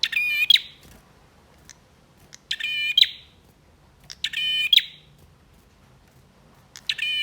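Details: Male bar-winged prinia sings four nasal, buzzy notes about every two seconds, each a stacked harmonic buzz ending in a crisp click, thin ticks between, background otherwise still. Used to rouse birds that have stopped singing.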